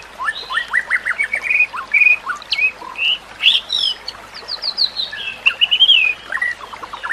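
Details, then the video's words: White-rumped shama singing as a model for training other shamas: fast strings of short descending notes, buzzy trills and bright whistled slurs running continuously, over a gentle water-like hiss. "Kicauan Murai Batu yang Menggoda Telinga"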